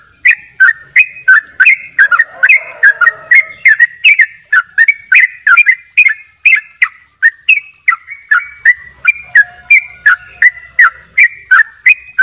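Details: Double 'ropel' gacor song of a sooty-headed bulbul, known as trucuk bali: a long unbroken series of crisp chirped notes, nearly three each second, with a faint lower whistle underneath at times.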